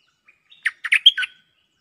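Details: Decoy phrase of a cream-vented bulbul for answering a territory holder: a brief burst of warbled, gurgling notes ending in a clear whistled note and a lower trailing chirp.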